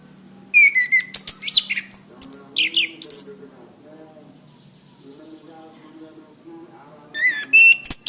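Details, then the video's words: Orange-headed thrush on a master recording used to train cage birds: a burst of high, shrill whistles and buzzes, a softer lower humming stretch, then more high notes. "Suara Bunyi Masteran Anis Kembang"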